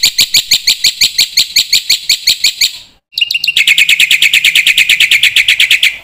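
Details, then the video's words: Black-winged myna in full song, used as a master to teach young birds: a long, fast series of bright, chattering notes about three per second, then a quicker trill-like run after a short break. "suara pancingan burung jalak putih gacor full isian masternya bikin jalak muda cepat bongkar isian"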